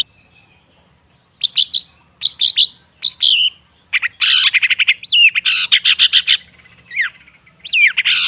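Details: Long-tailed shrike song in a training recording: paired whistled slurs, then buzzy grating trills and looping whistled notes, delivered in bursts with short gaps.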